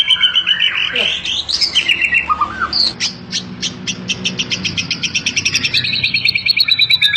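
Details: White-rumped shama of the sought-after 'super' type, prized by bird keepers for its aggressive, agile singing style, delivering a rich, varied song: bright whistled and slurred phrases, then a fast, sharp note series repeated about four times a second.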